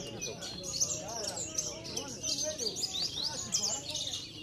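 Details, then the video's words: Competition Javan bush lark from Cilacap, a steady weekly trophy winner, pours out rapid high chirps and trills without pause. Human chatter and lower whistles run throughout. "BMW SETIAP MINGGU SLALU BAWA PULANG TROPHY JUARA"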